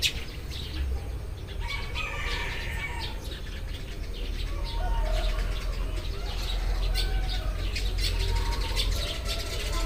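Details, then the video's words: Morning chorus of Eurasian tree sparrows: many overlapping quick chirps and twitters, roughly three or four per second, with soft whistled lines from other birds beneath and a steady deep background drone. "burung-burung gereja berkicau saat pagi tiba"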